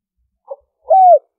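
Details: Spotted dove coo in the liêu ròng style used to lure wild birds. A faint short note, then one loud, smooth, slightly falling hoot. No other sounds.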